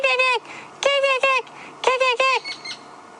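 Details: White-crowned Shrike giving harsh, nasal squawking notes in bursts, roughly one per second, with rich harmonics and downward slurs, alarm-calling at a hunting tawny eagle on a sunset safari drive in late February; faint background hiss.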